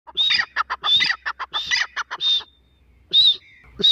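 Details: Female grey francolin calling: loud, harsh, ringing notes in fast rhythmic phrases, each phrase opening with a bright high note. The phrases pause briefly near the end, then a final note begins again.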